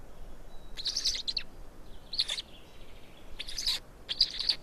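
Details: Black stork chicks being fed in Estonia on 16 May 2019: four short bursts of high, raspy, squealing begging notes, with a faint steady tone underneath.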